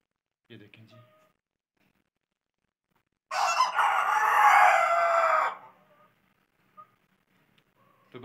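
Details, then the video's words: A white rooster gives a single loud crow of about two seconds after some soft scattered clucks and knocks, followed by quiet farmyard sounds. "My Roosters are Crowing|White Roosters"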